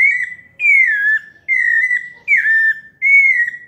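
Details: Five drawn-out, gently falling whistles from a pale-breasted thrush singing in the melodious paulista style, each separated by a short pause.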